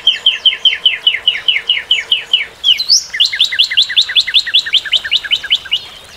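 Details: Northern cardinal song of steady repeated slurred whistles, then a swooping note that opens into a faster, denser trill of paired notes lasting several seconds.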